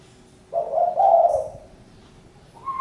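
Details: A single husky, slightly rising coo from a spotted dove lasting about a second, followed by silence and the start of a higher, clearer note at the end.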